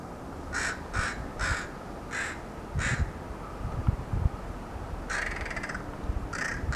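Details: Crow calling with a series of harsh, broad caws, about six spaced roughly every half second, then a longer raspy caw and a final short one; low rumbling background noise throughout.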